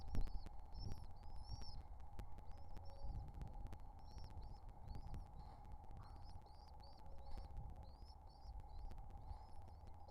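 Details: Young pigeons calling hungrily as they are fed: short high squeals in clusters, growing busier toward the end, set against persistent low rumble, a steady hum and occasional clicks.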